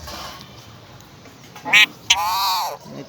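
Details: Pet parrot saying its name: a loud harsh burst, a click, then a drawn-out harmonic, voice-like syllable arching up and down, with soft background noise.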